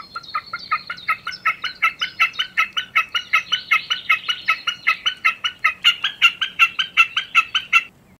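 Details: Common snipe song: a rhythmic string of hard, clucking notes at a steady pace, around two and a half per second, swelling slightly then stopping abruptly.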